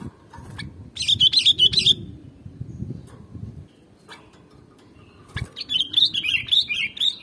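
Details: Sooty-headed bulbul song for luring birds: a quick burst of cheerful, bubbling whistles, a pause with low rumbling noise, then a longer run of rising and falling fluty notes repeated rapidly to the end.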